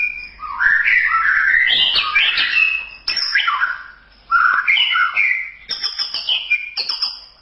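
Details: Murai batu (white-rumped shama) masteran song: long rich runs of varied whistles and chatter, brief pauses, then quick high repeated notes at the end, with a thin steady high tone.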